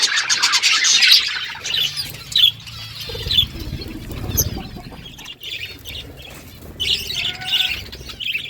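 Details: Morning budgies, a burst of high chattering at the start, then wing flapping and low rustling, followed by scattered chirps and short warbled phrases.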